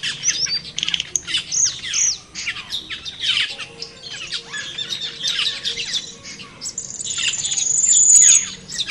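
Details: Noisy flock-like chatter of wild cucak keling, clipped harsh squawks and short upward notes, followed by a swelling high, thin, steady whistle.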